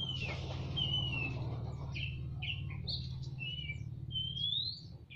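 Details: In a semi-natural aviary, a male and female Oriental magpie-robin answer each other: bright upslurred and falling whistles over constant low droning noise.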